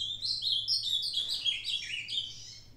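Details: An older ultramarine grosbeak, recorded 22/05/2022, sings a fast, continuous run of sweet, slurred warbling notes, rising and falling high in pitch, with a faint low hum beneath.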